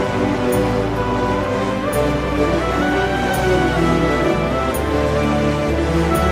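Background music of layered sustained tones with a soft beat throughout, and no animal sound.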